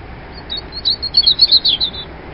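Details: A single loud robin phrase lasting about two seconds, made of quick high twittering notes strung together, rising in intensity toward the middle, heard against faint steady hiss.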